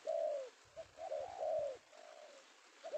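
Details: Male spotted dove, penguku voice type, caught one afternoon in Indonesia as a prized lure bird; a long mellow coo, a short note, then a drawn-out falling coo and a quieter trailing one.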